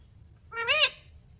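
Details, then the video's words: Talking parrot said to say mummy and papa; here it gives one short, clear, tonal sound that rises and then falls, with rich harmonics, against quiet room hum. "मम्मी पापा बोलता तोता || clear voice || parrot talking everything"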